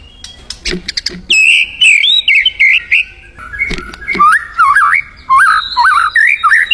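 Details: Energetic song of a white-rumped shama in the wild: a few clicks, then clear looping whistled phrases that wobble up and down, separated by short pauses.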